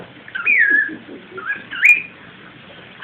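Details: Two bending, whistled phrases from a pet cockatiel saying "come here" toward baby cockatiels, the second one sharper, then a short silence.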